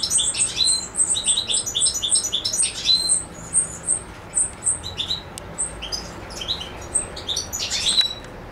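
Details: European goldfinch singing in Macedonia on 7 July 2011: a lively burst of high chirps and tinkling twitters, easing into sparser notes, then a final short flurry with a brief buzz.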